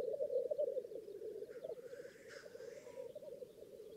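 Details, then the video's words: Lekking black grouse in northern England give dense, rolling low bubbling in fast repeated pulses, with a faint hoarse hiss partway through. "Black Grouse Lek"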